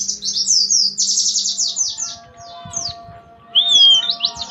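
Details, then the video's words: Dense, high chattering song of an Oriental white-eye, 'nembak rapat' style: close-packed shrill notes in fast succession, a short lull, then a clear rising whistle and more quick chips. "Suara Pleci nembak rapett!!"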